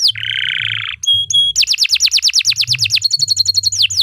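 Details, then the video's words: Canary singing for tutoring other birds: harsh buzzy note, two short pure whistles, then quick descending chips repeated rapidly, ending in a fast doubled-note trill. "3 Suara Burung Kenari II GACOR PANJANG Cocok untuk Masteran"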